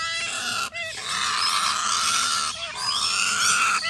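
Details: Major Mitchell's cockatoo nestling begging with a continuous loud, harsh churring rasp, interrupted twice by brief breaths carrying small curved squeaks.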